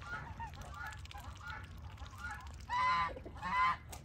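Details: Chinese geese among muscovy ducks while mating: soft muffled honking at first, then two loud, harsh, drawn-out honks near the end, with low background rumble.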